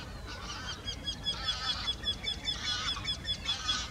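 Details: Two Eurasian wrynecks singing in the same tree: a rapid series of repeated nasal, slightly descending notes about two per second, with a steady thin whistle running through and faint background hum.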